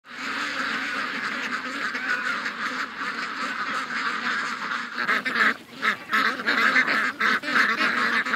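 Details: Dense chorus of more than 700 ducks and geese on their morning rush to the lake, recorded August 6th, 2015; overlapping nasal quacks and honks run continuously, growing choppier and more broken in the second half.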